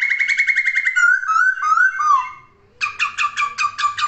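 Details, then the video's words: Laughingthrush singing actively: a rapid buzzy trill, a run of loud downslurred whistles, a brief pause, then a fast rattling series of repeated harsh notes. "Kicauan Poksay Gacor!"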